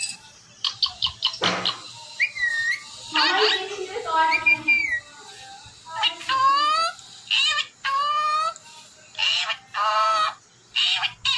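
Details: Talking Indian ringneck parakeet saying words in Urdu or Hindi, with speech-like syllables and sliding whistled tones in short separate phrases and clear pauses between them.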